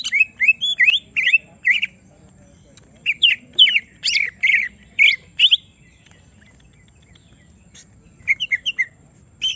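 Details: Greater green leafbird kept in a cage and provoked into full song, giving bursts of bright chirps and rising whistled notes in short groups separated by brief pauses.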